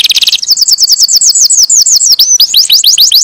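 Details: Canary song: a brief fast trill, then a series of clear curved whistled notes repeated about six per second, ending in quick upslurred chirps.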